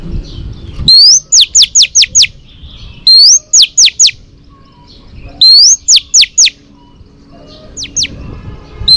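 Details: Female Oriental magpie-robin song to stimulate males, for training: three repeats of a rising whistle followed by four or five rapid falling slurred notes, then a shorter pair of falling notes, over a steady faint hum.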